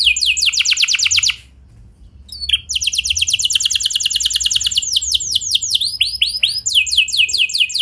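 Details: Canary singing energetically with clean rolling trills, a lure to set other canaries singing: a fast high roll, a short pause with a faint chip, then a long rapid trill that breaks into quicker sweeping phrases.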